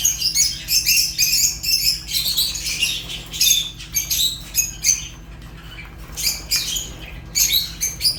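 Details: Fischer's lovebird making piercing, squeaky chirps and short raspy squawks in quick irregular clusters, with a few clear whistled tones among them.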